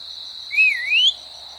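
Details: Whistle from a pet male Indian ringneck parrot, two and a half years old, that loves to converse with its owner. It gives a single clear note that dips and then rises, over a steady high electrical whine.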